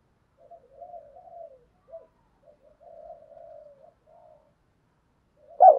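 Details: Spotted dove kept as a lure bird to draw in wild doves, in the 'thổ' voice style: soft, low, mumbled cooing phrases with pauses, quiet throughout, then a sudden loud coo begins at the very end.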